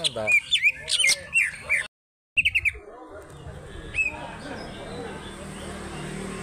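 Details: Greater green leafbird of Alas Purwo, Banyuwangi origin, in powerful fighter song with tail opened. Quick high whistles and trills in rapid sequence, a brief silent gap, then a few sharp rising notes and fading calls over low background noise.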